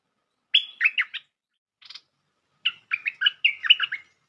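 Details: Bulbul call used as a trapping lure: short bubbly, chattering phrases of warbling notes, one opening with a held whistle, then a brief buzzy burst and a longer run of rapid chirps.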